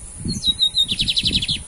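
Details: Male lined seedeater, called bigodinho in Brazil, competing in a singing contest between two males: a descending whistle and held high notes, then a fast string of buzzy repeated notes over a man's low voice.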